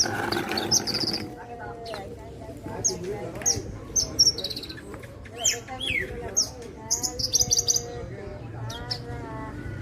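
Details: Parva-type Javan bushlark giving a string of piercing high chips and short rattles spaced about every second, mixed with softer wavering whistles and a low steady hum.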